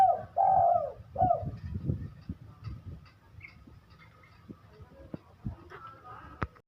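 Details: Spotted dove described as a gacoran, a bird in top singing form, giving one short bout of three mellow, rolling coos at the start, followed by low thumps, rustling and faint indistinct background sounds.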